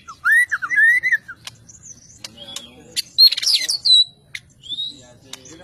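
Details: Murai batu fighter, the white-rumped shama, sings loud looping whistled phrases, followed by scattered sharp clicks and a buzzy high flourish, with quieter scratchy notes between.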